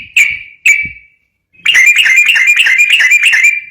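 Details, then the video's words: Sooty-headed bulbul song used as a lure for training other bulbuls: two clear separate notes around a steady pitch, then a dense run of quick, chattering notes with a metallic ring. "trucuk ropel gacor cocok buat pancingan burung trucukan bahan"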